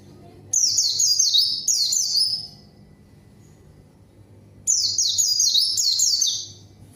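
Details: White-eye singing hard as a lure for rivals and silent birds: two strong bursts of piercing high, down-sweeping twitters, each lasting about two seconds, with a quiet pause between and a steady low hum underneath.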